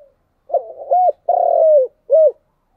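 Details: Spotted dove singing its 'chiêu' and 'thúc' coo: four low notes in about two seconds, a rolling start, an upturned hoot, a long sustained coo and a short final hoot, clear against silence.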